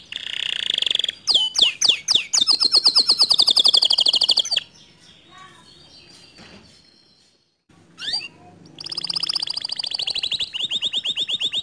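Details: Canary in full, vigorous song meant to rouse a silent canary: high-pitched fast trills and swooping notes, a few seconds of near silence with faint background sounds, then a bright rolling trill resumes.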